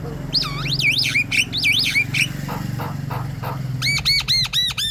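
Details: Javan myna in 'gacor' chattering song used as a lure for other birds to sing: looping whistled phrases, a few rasping notes, then a rapid string of bouncing arched notes, over a low engine-like hum.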